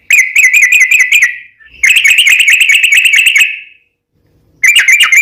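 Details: Long rapid trill from a yellow-vented bulbul, recorded as a lure to make other bulbuls answer: fast, buzzy bursts of clipped notes on one pitch, two long runs separated by short pauses.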